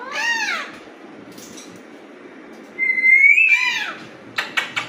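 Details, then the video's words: Alexandrine parakeet natural sounds: a harsh falling squawk, then a long level whistle rising slightly before a second squawk, ending with a few sharp clicks or taps. "Alexandrine parrot natural sounds || Raw parrot natural voices"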